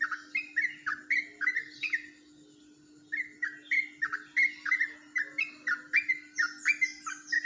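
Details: Rolling ropelan song from a yellow-vented bulbul in Jombang, said to differ from typical birds: bursts of rich chirping notes, a one-second pause, then a longer, brisk stream of repeated warbles over a steady hum.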